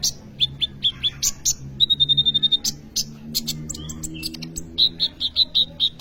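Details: Kolibri ninja sunbird in energetic song, used as a lure or tutor for young birds: bursts of rapid, evenly repeated high notes forming short trills, interspersed with sharp ticks.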